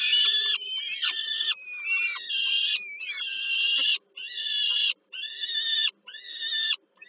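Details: Warsaw peregrine falcon chicks, Poland, 15 July 2022, crying for food while their mother serves dinner: harsh screams roughly once a second, a few bending and wavering in pitch, the later ones more clipped and separated.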